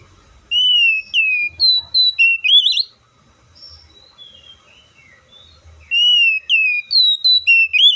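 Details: Oriental magpie-robin delivering repeated whistled phrases, slurred notes stepping up into a wavering rising flourish, a quieter softer passage between two loud phrases.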